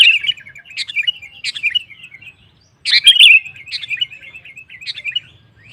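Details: Sooty-headed bulbul (kutilang) in provoking gacor song: two chattering phrases of sharp chirps, each fading into a slurred twittering tail, with a brief silence between them.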